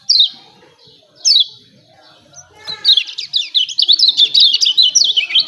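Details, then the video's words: Two isolated high down-slurred notes from a lemon-bellied white-eye, then a rapid run of twittering chirps; the recording serves to provoke birds to sing. "CIAK CIAK JOSS KECIAL KUNING AMPUH‼️PANCING JOS MASTERAN BIKIN GACOR."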